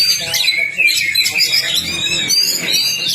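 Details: Kacer (Oriental magpie-robin) master recording aimed at getting a quiet bird to sing: rapid slurred whistles and rising and falling notes in continuous chatter, with a faint low hum beneath.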